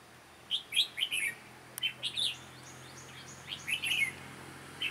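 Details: During a trapping session, a red-whiskered bulbul gives sharp, lively song: rapid groups of bright, bouncing notes, a brief click, then further chattering phrases and a final note.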